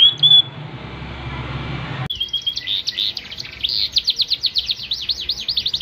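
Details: Yorkshire canary in full song: a soft high note and quiet pause, then after a sudden cut a fast rolling trill of rapidly repeated swooping notes that runs on steadily. Light low hum in the background.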